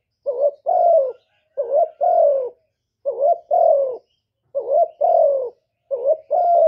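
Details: Spotted dove coos five times in a slow cadence. Each phrase opens with a short tremulous note and ends with a mellow, descending drawn-out coo. The background is clean.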